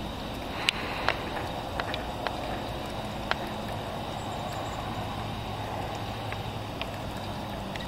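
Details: Steady broadband hiss broken by sharp, irregular clicks and taps, with no animal voice.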